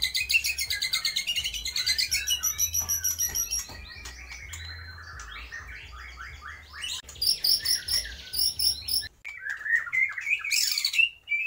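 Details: Energetic white-rumped shama song copying lovebird, kapas tembak and pijantung gunung, with rapid high rattling trills, sweeping slurred whistles, scratchy bursts and bright rising notes, changing phrase every few seconds.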